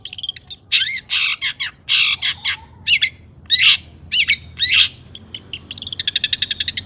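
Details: Long-tailed shrike singing excitedly to provoke rival shrikes: rasping, squawky bursts and slurred notes, ending in a fast rattling series of high clicks.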